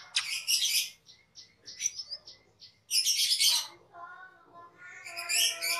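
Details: Master recording of a cucak keling for training cage birds: loud noisy high phrases broken by short clipped chips, with a harmonic nasal call near the end.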